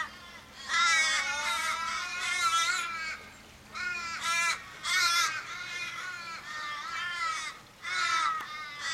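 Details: Australian ravens mourning a dying flock member, possibly hit by a car, in a Kellyville street, Sydney, 1 July 2012; loud overlapping drawn-out nasal wailing caws in bursts with short pauses, several birds calling together.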